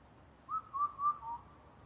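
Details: An Indian cuckoo calling at night near Naka-Karuizawa, Nagano, Japan, where the species is a rare visitor, gives its four-note whistled phrase: three clear, even notes and a lower fourth, delivered quickly over about a second against a quiet background.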